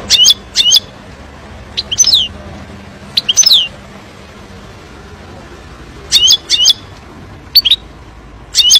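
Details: European goldfinch song used to teach young birds: scattered short twittering phrases of slurred high notes separated by pauses, over faint background hiss.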